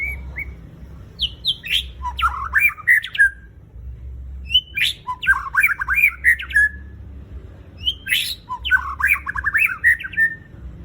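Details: Captive white-rumped shama singing a lure song meant to prompt other shamas to sing, with three bursts of rich varied phrases about every three seconds, mixing sweet whistles with harsh scratchy notes over low background hum.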